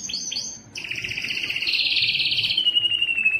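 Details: Singing male canary used to excite hens for mating: short chirped notes, then a fast rolling trill that drifts gradually lower and ends in a thin sustained whistle.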